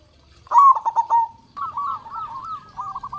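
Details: Local Indonesian zebra dove, a loud, big-voiced singer used as a lure to make other zebra doves sing. A quick stuttering burst of low coos is followed by a rolling run of bubbling notes, with faint low background hum.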